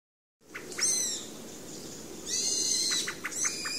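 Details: Pale thrush making its kupipipi sound, a rapid throaty call; thin, very high sibilant notes come in short bursts, each followed by a quick run of soft, lower clicking pips, over faint background hiss.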